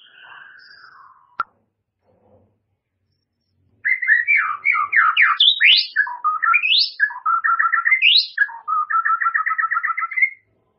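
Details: White-rumped shama singing: a soft descending whistle, a pause, then a loud rapid run of varied whistled phrases, swooping notes rising and falling, ending in fast repeated two-part trills for about six seconds.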